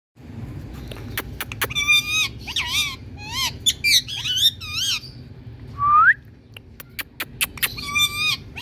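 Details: Indian parrot calling: a mix of harmonic squawks and wavering whistled notes around mid-high pitch, with sharp clicks and a rising whistle near six seconds, over a steady low background hum.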